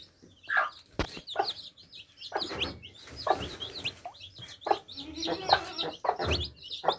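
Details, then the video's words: Baby chicks drinking. Bright, overlapping peeps from several birds are broken by sharp clicks, a scratchy rustle and tapping sounds. "Adorable Baby Chicks Quenching Thirst Chicks Sound Effects For Kids"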